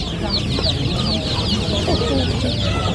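A group of ducklings peeps constantly, with high, thin, overlapping chirps rising and falling in quick succession over a low background rumble.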